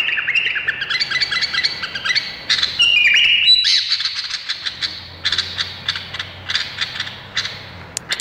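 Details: Indonesian bulbul pouring out lively warbled phrases, a held whistled note midway, then a string of sharp chips repeated several times a second over a soft low hum.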